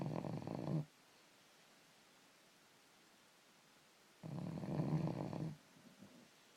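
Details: ['Raven aged five to six months snoring indoors, a coarse, throaty rattling rasp, one ending at the start and another lasting over a second a few seconds later, quiet between.']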